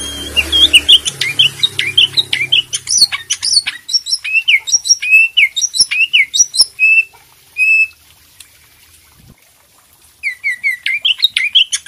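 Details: Green leafbird master song, used to prompt a silent bird to sing: lively, clear whistled notes and chirps repeated rapidly, each a short rising-falling slur, with a brief pause near the middle and a faint low hum early on.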